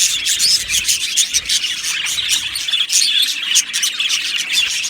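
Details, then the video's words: Many budgerigars chattering together in an aviary colony, a busy, unbroken wash of bright tweets, scratchy squawks and quick warbled notes. "Beautiful Budgies Singing and Chirping Sounds"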